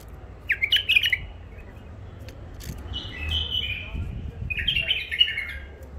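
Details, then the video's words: Caged wild bulbul from the Mandali area, an old catch, alternates a quick bubbling phrase, a long sliding whistle and another bubbly burst over roughly six seconds, with a low hum underneath. "بلابل وحشيات خامات كاع منفذ مندلي لسانات روعه"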